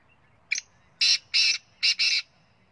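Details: Punjab kala teetar, or black francolin, calling: a brief clipped first note followed by four rasping, buzzy blasts, the final pair run close together. No other sounds.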